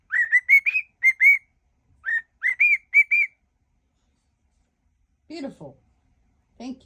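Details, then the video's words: Cockatiel whistles a medley of songs: a quick run of clear, rising whistled notes in small groups, then silence and a few lower, rougher sounds near the end. "whistling cockatiel"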